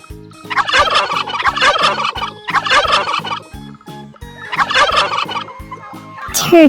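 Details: A turkey gobbles in three rapid, rattling bursts about two seconds apart, each a harsh burbling chatter, with light children's music underneath.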